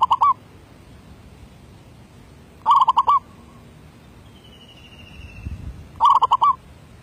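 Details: Zebra dove, a 2019 decoy bird, giving derak labuh song: three bursts of fast stuttering coos, the middle one trailing into a soft extra note, plus a thin falling whistle from another bird between phrases.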